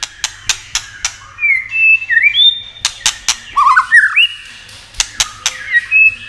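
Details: Song of a White-rumped shama meant to excite other shamas: steady sharp clicks roughly every quarter second, between clear level whistles and a twisting warbled burst.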